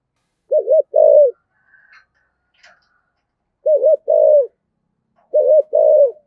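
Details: Spotted dove used as a decoy, giving thổ-style song: three short phrases, each a quick doubled coo followed by a longer, wavering, falling coo. Faint chirps sound between them.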